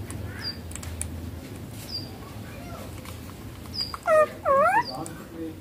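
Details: Baby rose-ringed parakeet near the end giving two loud, harmonic, rising whining notes in quick succession, after a quiet stretch. Thin high chirps from other birds are scattered throughout.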